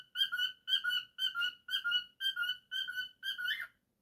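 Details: Domestic cockatiel repeating a loud, clear whistled note at a steady pace of roughly two per second, seven times, ending on a short scratchy flourish.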